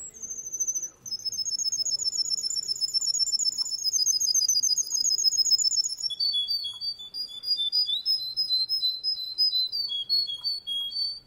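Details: Male Russian canary singing: a long rapid rolling trill lasting about five seconds, followed by lower pulsed whistled phrases repeated in quick succession.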